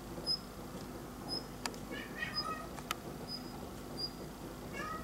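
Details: A Daurian redstart calls outside a window while snow falls: thin, high whistled notes about once a second, with short lower mewing sounds and two sharp clicks in the background.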